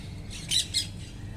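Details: Wild parrots eating: two loud, harsh, broadband squawks half a second apart, over a low steady rumble.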